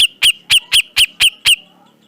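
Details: Black-crested bulbul (cucak jenggot), a close relative of the straw-headed and greater green leafbirds, used as a training recording for captive birds: seven sharp, bright, downslurred whistled notes repeated about every quarter second, then silence.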